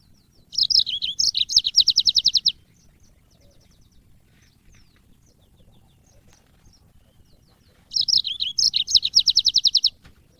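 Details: African yellow-fronted canary (burung mozambik) song as cage-bird training audio: two-second phrases of warbles ending in a rapid, regular high trill, with about five quiet seconds between phrases.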